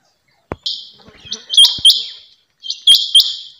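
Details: Female rain quail calling with bright, buzzy high notes ending in sharp whistled flicks, given in paired bursts at uneven intervals, with a few soft clicks between.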